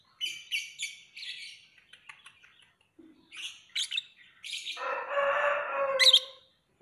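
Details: Lovebird giving rapid high chirps and squeaky twitters, then a long harsh, grating noise of lower pitch rising into a final sharp shriek.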